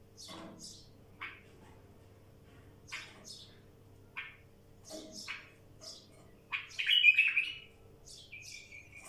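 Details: Bulbul in the wild giving brief high chirps and buzzy notes in loose succession, then a louder scratchy phrase near the end over a faint low hum.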